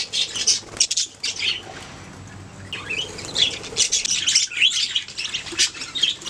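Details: Several budgies singing and chirping, giving bursts of high, scratchy warbles and squeaky rising notes separated by short quieter stretches over a faint hum.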